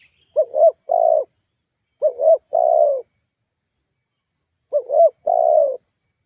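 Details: Spotted dove call used as a lure to provoke rivals and make kept doves call: three phrases, each a short wavering double coo followed by a longer, steady, slightly falling coo, about two seconds apart, with clean silence between.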